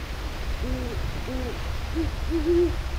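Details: Nesting pair of Great Horned Owls in Cockroach Bay nature preserve, Tampa Bay, southwest Florida, early nesting season. The female on a dead tree gives two drawn-out hoots; the deeper-voiced male in an oak below answers with several shorter hoots, over low rumble.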